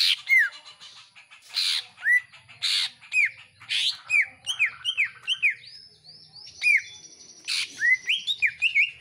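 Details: Home-kept greater green leafbird in lively song with iora-like sounds, loud harsh bursts alternating with clear downslurred whistles, then a quick series of rising and falling whistled notes.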